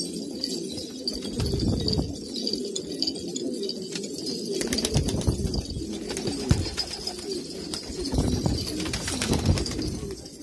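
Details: Pure-bred old-line pigeons kept in Kabul, Afghanistan: many birds coo at once in a thick, rumbling low chorus that swells and fades, with scattered clicks and knocks throughout.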